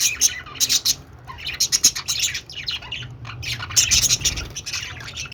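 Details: Budgerigars singing happily, dense overlapping squeaky chirps and buzzy warbling notes in quick clusters almost without pause, over a low steady hum.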